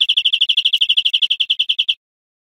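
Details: Greenfinch song from an educational recording of wild birds: a two-second run of about twenty rapid, clear, high notes at an even pace, then silence.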